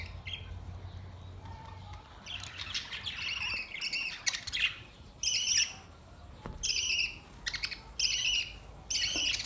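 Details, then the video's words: Budgerigars playing, recorded June 14, 2023: harsh buzzy squawks repeated in bursts of about a second, with short gaps between, mixed with brief chirps, over a soft low background rumble. "Beautiful play budgies birds"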